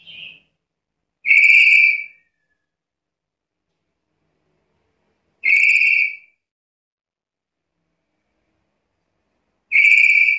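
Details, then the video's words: Black-capped lory (Lorius lory) in full song, giving loud, clear, level whistled notes about a second long, repeated roughly every four seconds, against a silent background. "Suara burung nuri kepala hitam gacor"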